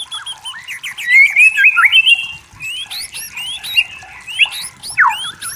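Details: White-rumped shama singing in natural forest sound, with mixed slurred whistles, quick chattering notes and sharp downward-sweeping calls over about five seconds.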